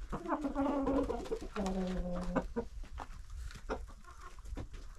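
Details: Village flock of roughly 25 domestic hens and roosters being fed by a woman in their yard coop; two stretched, nasal harmonic calls, the second falling to a low steady tone, then scattered soft clucks amid yard noise.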